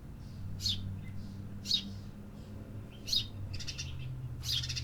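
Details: Several urban birds singing: loud high chirps mixed with softer buzzy, rattling notes from other birds, over a low droning hum.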